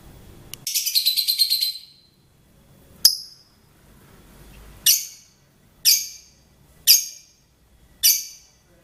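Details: Songbird opening with a fast, rattling, high trill lasting about a second, then a series of single sharp, hissing chips spaced roughly one second apart.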